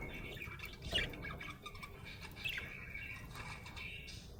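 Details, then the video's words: Happy budgerigar with a short squawk followed by scratchy, chattering warbles and a few clicks against a faint background hiss. "Happy budgie chirping sound"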